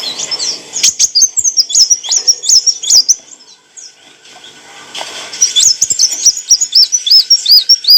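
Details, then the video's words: Clear song of an olive-backed sunbird (kolibri wulung) for cage-bird training: sharp high hooked notes in a quick row, a quiet gap around four seconds, then a renewed series of arched whistled notes. "kicauan burung kolibri wulung - suara jernih untuk masteran & pancingan"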